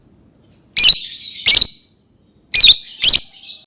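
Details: Lovebird giving four loud, shrill, high-pitched chirps in two pairs, each harsh and noisy, separated by a second of silence.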